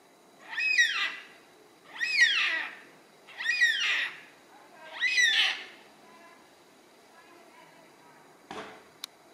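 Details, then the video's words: A yellow-tailed black cockatoo gives four drawn-out, wailing cries, each rising then sliding down, about a second and a half apart, with a brief knock near the end. "Yellow Tailed Black Cockatoo Calling"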